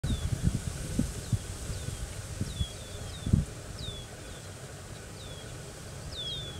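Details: A Killdeer (Charadrius vociferus) at Veron Wildlife Area repeats thin, high, downslurred 'deee' notes, about a dozen in quick uneven succession, over steady low wind rumble and a few thumps.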